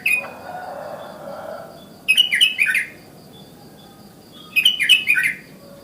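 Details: Sooty-headed bulbul in the morning, calling so other bulbuls join in: two bursts of quick bubbling, liquid whistled notes falling in pitch, about three seconds apart, over a faint steady background hum.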